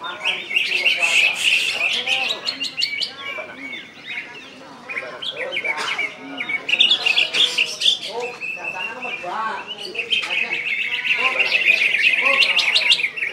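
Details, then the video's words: Greater green leafbird from Kalbar, West Kalimantan, singing 'gacor' with 'ngentrok' and 'nembak' phrases. Long high chattering stream of buzzy, rapid notes and sharp clicks, briefly dipping midway, over men's conversation. "Cucak IJo KALBAR Ngentrok Gacor Nembak"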